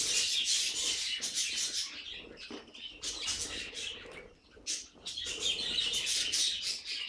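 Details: Budgerigars give a busy stream of raspy chirps and squawks with a brief lull midway, then resume their loud chatter.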